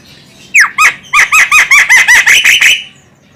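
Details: Calls of a female Javan myna, used to lure birds, in Indonesia: a sharp descending squeal, then a rapid run of about ten loud, nasal, harmonic squawks, steadily repeated before stopping abruptly.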